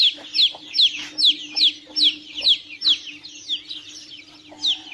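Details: Chicks peep in a fast, even series of high falling notes that slows and fades toward the end, then one last peep, over a low hum.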